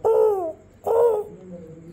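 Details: Pet parrot imitating a crow on request: two loud, harsh caw-like calls, each about half a second and falling in pitch, separated by a short pause, with a quiet room behind.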